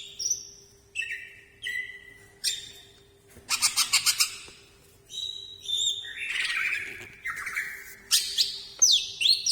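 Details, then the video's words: A greater green leafbird delivers sumberlan-style song accompanied by its wings: mixed whistles, rattling buzzy phrases and swooping slurs, with short gaps between outbursts and a soft hum in the background. "Burung Cucak Ijo keluar Sumberlan di sayap"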